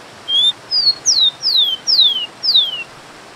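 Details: Tico-tico, or rufous-collared sparrow (Zonotrichia capensis), giving its song: an opening steady high whistle followed by five downward-sliding clear notes at a quick, even pace, with faint background hiss.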